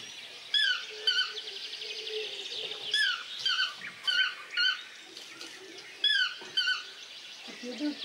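A toucan gives sharp, squeaky chirps that bend up and down, in uneven bursts roughly every half second to second, over a low background murmur.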